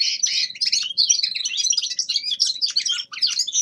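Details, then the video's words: Young male common linnet in winter practice song, delivering a continuous rapid twittering warble of jumbled high chirps and trills with scarcely a pause. "Распевка Реполовов песня"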